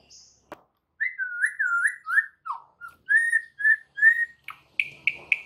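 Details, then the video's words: White-rumped shama tutor recording full of varied song, meant to make other shamas answer: a fast run of rich, slurred whistles, about two a second, ending in a few harsher, buzzy notes. "MASTERAN Murai Batu FULL ISIAN"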